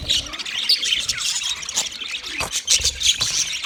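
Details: Chirping of white male budgerigars while mating; busy high twittering with squeaky whistled notes and rasping squawks, fairly steady in loudness, a few sharper chirps standing out near the end.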